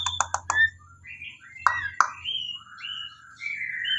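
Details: White-rumped shama giving several sharp clicks, then smooth drawn-out whistles rising and falling, softer and more spaced, over a faint low hum.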